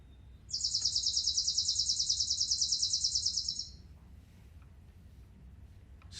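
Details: A chipping sparrow, a summer resident audible from great distance, sings a fast, dry, even trill of high chips for about three seconds on one pitch, over quiet hiss.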